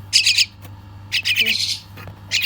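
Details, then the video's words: Young bird begging during feeding, giving rough, high, noisy squawks in quick bursts, one long drawn-out rasp in the middle, over a faint low hum. "Feeding baby bird"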